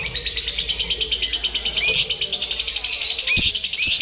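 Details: Lovebird heard in a simulated singing-competition setting used to train its nerve: rapid, high, buzzy chirps pulse several times a second without pause, with a few lower clicks and knocks near the end.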